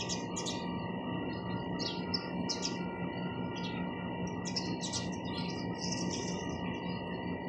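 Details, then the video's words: Sparrows chirping: short, bright, scattered high chirps in loose bursts over a constant low electrical hum. "চড়ুই পাখির কিচিরমিচির শব্দ Chirping sound of sparrows"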